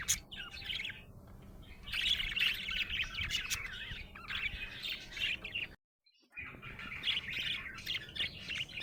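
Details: Budgerigar, described as happy, chattering in rapid warbled runs of chirps and clicks, broken by a brief silent gap before the chatter resumes.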